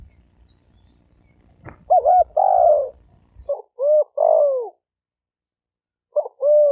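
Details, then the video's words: Spotted dove cooing, played to provoke males and females into fighting. Three low cooing phrases at roughly two-second intervals, each a quick doubled note followed by a longer, drawn-out falling coo; faint low rumble before the first phrase. "Tiếng chim cu gáy kích bổi kích trống mái gáy gù đánh nhau"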